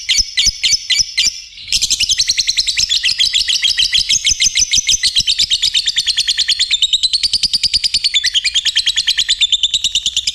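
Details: Lovebird in full song: a few separate high squeaks, a brief gap, then a long unbroken chatter of rapid buzzy twittering notes that wavers slightly up and down in pitch.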